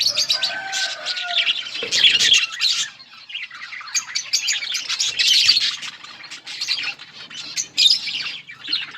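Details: Budgerigars feeding together in a colony, a dense flock chatter of rapid high chirps and warbles, with squawks breaking through and a couple of steady tonal notes early on.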